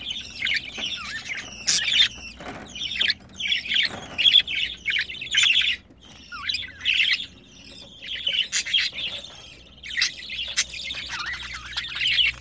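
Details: Long sequence of budgerigar chatter while a pet pair mates: twittering warbles, squeaks and slurred whistles in uneven bursts, with occasional clicks.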